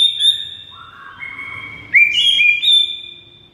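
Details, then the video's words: White-rumped shama singing a tutor phrase for silent birds: high thin whistle, a quiet run of rising tones, then a bright, loud burst of stepped whistles held to the end. "MURAI BISU SONTAK NAIK EMOSI DAN GACOR DENGAR MASTERAN MURAI SATU INI"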